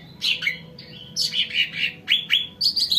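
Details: Sumatran cucak ranting singing to lure other birds: varied quick chirps and slurred whistles, some rising and some dropping, delivered in uneven bursts, ending in a fast high twitter, low background hum.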